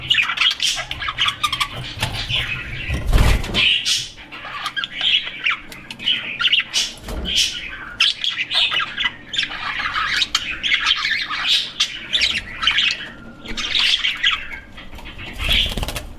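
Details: Budgerigar (Melopsittacus undulatus), chirping.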